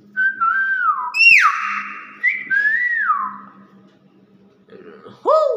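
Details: Nias hill myna delivering a series of slurred whistles, each bending downward. One breaks into a harsh buzzy sweep. A steady low hum runs beneath, and a lower, hoarse call closes the sequence.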